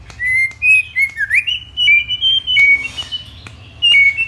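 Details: White-rumped shama whistling in a many-voiced song meant to stimulate other shamas: a string of short, pure, level and gently rising whistles, with one quick dip and rise in the middle, and faint clicks and a low hum behind.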